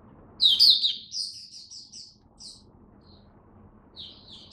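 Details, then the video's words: Caged oriental white-eye (mata puteh), hobby songbird, recorded 8 October 2022: an intense high twittered burst, then a series of quick evenly spaced chirps fading off, silence, and a soft trilling phrase at the end. "Mata Puteh Buka Sing Raja"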